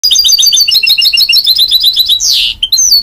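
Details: Goldfinch mule, a hybrid of a goldfinch crossed with a canary, singing a rapid run of bright, repeated twittering notes that ends in a harsh buzzy rasp, followed by a few high whistled notes.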